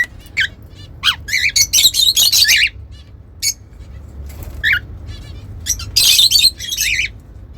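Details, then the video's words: Pet cockatiels singing indoors, scattered bright chirps and short squawky notes in separate bursts with quiet gaps, ending in a louder cluster of harsh warbles. "Cute Cockatiels Whistling & Singing"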